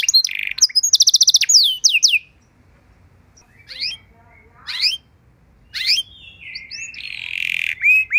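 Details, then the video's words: Canary training song: an opening buzzy rattle and fast trill with slurred notes, then scattered short rising phrases separated by pauses, and a closing drawn-out buzzy note with light background noise. "Masteran dan Pancingan Burung Kenari Biar Punya Lagu Mewah!"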